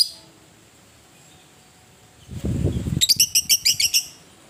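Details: Fighting lovebird, ngetik ngekek style: a low rustling thump, then a fast series of about nine high, sharp, chattering notes over roughly a second.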